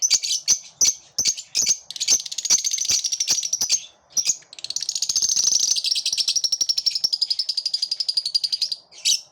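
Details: Group of lovebirds singing together: a series of sharp high chirps and clicks, then a long continuous shrill chattering twitter made of fast repeated squeaky notes, ending in a brief high squeal.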